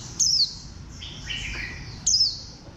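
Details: Warbling white-eye, a caged bantam-shaped bird: two loud, sharp, high notes slurring downward, about two seconds apart, with soft high warbling and twittering between them.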